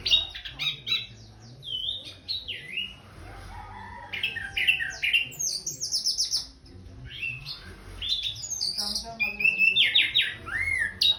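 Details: Varied song of an orange-headed thrush after its bath: continuous rapid whistles, buzzy trills and slurred notes, mixing sweet descending phrases with harsher chattering segments.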